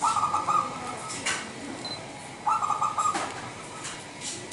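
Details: A local wild-type zebra dove gives two bursts of soft, rapid, staccato cooing notes about two and a half seconds apart over faint hiss, used as a lure call to provoke other zebra doves that rarely sing.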